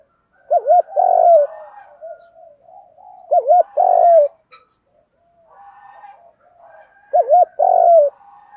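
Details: Spotted dove cooing, male and female, meant to stimulate training birds: three loud phrases about three seconds apart, each a double hoot and long, buzzy coo, with continuous soft cooing from other doves underneath.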